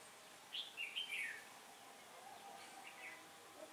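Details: Trapping session with a singing decoy red-whiskered bulbul luring wild birds, 15 October 2017, a day of changing wind; one short lively warbled phrase, then faint distant chirps.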